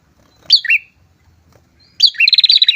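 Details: Pair of prinias singing loudly, used to lure and provoke rivals: a sharp two-part chirp dropping from high to lower pitch, then after a pause a fast dry rattled trill with the same chirps.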